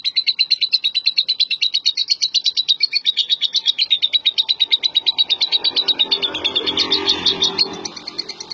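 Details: Prize-winning contest lovebird delivering a sustained rapid chatter of high, rasping notes at roughly three per second. The trill blurs into a denser, noisier warble near the end, with faint low background sounds.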